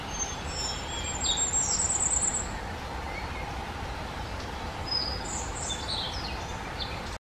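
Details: Common firecrest (Regulus ignicapilla) singing: a thin, very high-pitched rapid run of notes lasting about a second, then a few faint high notes later, over steady broadband background noise.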